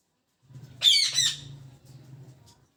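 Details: A parrot in the morning gives one harsh, broadband double squawk over a steady low hum that runs through the recording.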